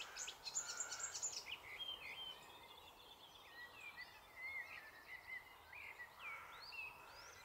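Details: Icterine warbler in song in a copse in the Alblasserwaard, Netherlands, delivering a fast, varied jumble of high chattering, slurred whistles and squeaky mimic-like phrases with brief pauses between bursts.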